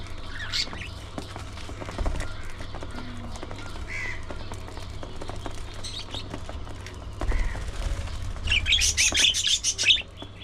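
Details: Budgerigars during early morning feeding time, with sparse short chirps and warbles at first, then a fast run of rapid, harsh chattering notes toward the end, over steady low background hum.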